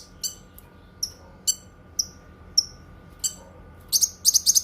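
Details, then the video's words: Song of the Cucak kinoi, said to be good for tutoring other birds and for therapy: spaced clear chirps and short falling whistles, ending in a quick run of loud sharp notes. "Suara Kicauan Burung Cucak Kinoi"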